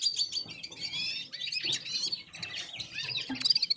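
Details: Several red-fronted serins singing together in unison with other birds, a continuous tangle of high, fast twitters and jingling trills with brief sharp whistles, almost without a break.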